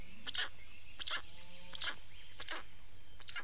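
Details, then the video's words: Black storks at a nest in Estonia on 19 May 2019, during a nest change-over and feeding; short harsh rasping calls repeat roughly every 0.7 seconds, with faint high thin whistles from other birds in the background. "Estonian Black Storks - Change anf feeding"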